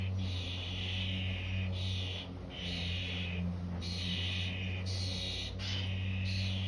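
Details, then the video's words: Starling nestlings calling: harsh, hissing broadband bursts about a second long, repeated in near-continuous succession with brief gaps, over a steady low hum. "Starling babies making a noise"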